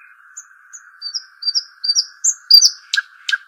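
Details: Arabian babbler song: a string of short, thin, high whistled notes that rise in loudness, then two sharp buzzy chips at the end, all over a steady low background hum.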